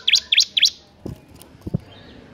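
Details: Bar-winged prinia singing in a loud, continuous ngebern gacor style: three quick high chirped notes about a quarter second apart, each sharply rising, followed by a few soft low knocks.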